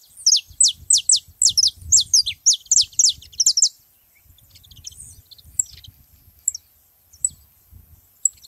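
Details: Free saffron finches calling together, a dense rapid string of sharp high downward chirps for several seconds, then isolated thin tweets over a faint low rumble.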